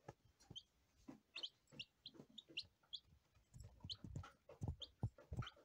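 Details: Day-old lavender Ameraucana chicks peeping: many short, high, slightly falling peeps, often overlapping, about three each second, over soft low thumps and rustling.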